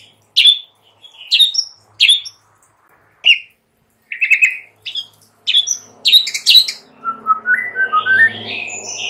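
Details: White-rumped shama singing as a lure for shamas in the morning. Clipped, scratchy notes are separated by short pauses, followed by a rising run of clear whistles, with a faint low hum behind.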